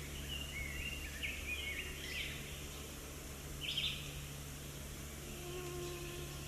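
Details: Hooded Warbler song recorded with a shotgun microphone, a fairly faint, clear whistled phrase over two seconds, then a short bright burst near four seconds, over steady low hum and hiss.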